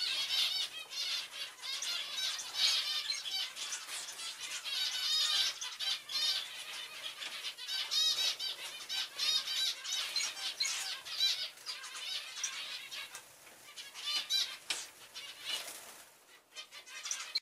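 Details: A busy flock of zebra finches (Taeniopygia guttata) in flight, chattering with nasal, toy-trumpet beeps over a whir of wingbeats.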